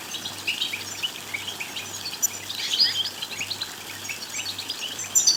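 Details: Goldfinch twittering aimed at rousing a goldfinch to sing and court. Rapid high chirps and buzzy notes chatter continuously, with a swelling burst in the middle and a sharp whistled flourish at the close, low hum beneath.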